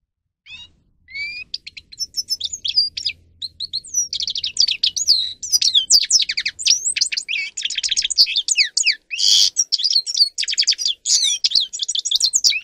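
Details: Caged grey-crowned goldfinch singing as a training model: after a few rising whistles, a long, fast, continuous twitter of high, tinkling, sliding notes with buzzy bursts builds and runs on for over ten seconds.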